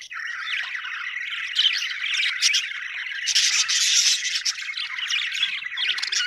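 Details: Budgerigars, described as happy Australian birds, chatter in overlapping squeaky warbles and harsher squawks that swell louder in the middle.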